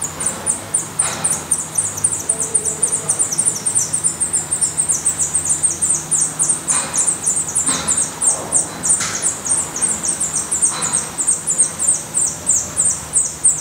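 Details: Black redstart at its nest in Portugal, young not yet fledged: a dense, fast series of high, thin, downslurred notes, about three per second, continuing without pause, with a few faint soft thumps underneath.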